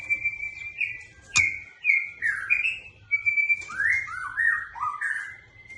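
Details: White-rumped shama song: a chain of clear whistled notes, sliding and warbled phrases, some held and some falling, with one sharp click early on and a soft low hum in the background.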